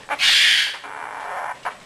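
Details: A pet Quaker parrot gives one loud, harsh, buzzy squawk of about half a second, then a softer trailing rasp and a short click.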